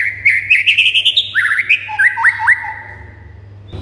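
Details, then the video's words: White-rumped shama song aimed at getting other birds singing and worked up: a quick burst of bright chattering notes, then three sharp rising whistled flicks, fading into a quiet low hum. "99% BIKIN MURAI BATU MANDEK SEKETIKA NYAUT GACOR & NAIK EMOSINYA"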